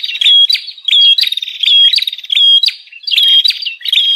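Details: Rowdy bar-winged prinia lure calls for attracting wild birds: quick repeated buzzy chip-trills, about one and a half per second, each with a bright high note, rapid and insistent.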